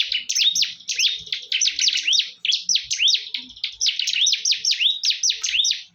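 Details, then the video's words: Ciblek, the bar-winged prinia, fighting fiercely, pours out a nonstop run of sharp, high chirps, each slurring down then rising, packed several per second with a buzzy undertone throughout. "PERTARUNGAN SENGIT BURUNG CIBLEK"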